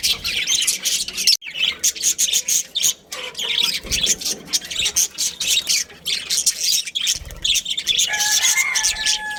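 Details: Budgies from a breeding pair keep up dense, high, raspy chattering with rapid chirps and squawks, broken by a brief pause, and a faint whistled tone near the end.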